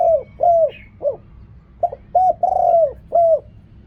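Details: Spotted dove giving rapid riak kham calls: about seven short low coos, each rising and then falling, roughly two per second, one longer. A single higher chirp near the start.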